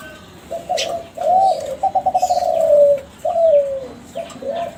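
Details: Lure song from a young bred Kelantan spotted dove of contest-champion stock: short coos, a fast stuttering roll into a long falling coo, another drawn-out falling note, and a soft closing coo. Faint chirps above.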